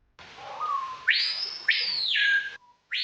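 A screaming piha opens with a soft low whistle, then gives loud, ringing whistles that whip sharply upward and hold high before falling, the last cut short.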